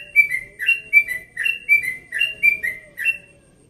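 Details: Dawn song of a yellow-vented bulbul from Bekasi, aged one and a half years, in relaxed tone: clear whistled phrases, each a high note falling to a lower slurred one, repeated steadily about every half second.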